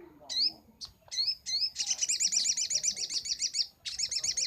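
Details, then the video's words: Master recording of a Brown-throated sunbird for training birds: a few sharp rising whistled chips, then a long, rapid, high, pulsing trill of nearly two seconds, resuming after a brief pause. "Masteran sogok ontong paling ampuh - sogon gacor nembak"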